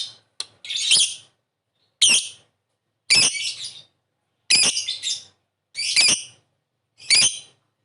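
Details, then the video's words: Lovebird calls used to draw a quick answer, a series of about seven raspy, high squawking chirps roughly one per second, separated by clean silence. "Suara burung Lovebird memanggil di sertai ngetik ngekek pancingan labet cepat respon"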